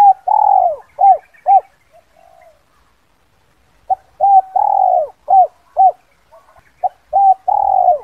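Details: A spotted dove gives a "kuk 2" lure call used to attract wild doves: low, soft coos, a drawn-out rolling coo with quick short notes, in two phrases separated by a pause, with nothing else heard.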